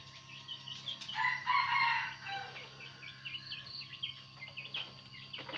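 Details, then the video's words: Red junglefowl decoy rooster crowing to draw in wild roosters: one fairly distant, harsh crow over steady hiss and hum, with small birds chirping all around. "giọng gà rừng mồi gáy, giọng gà trống gáy kích mồi, kích bổi"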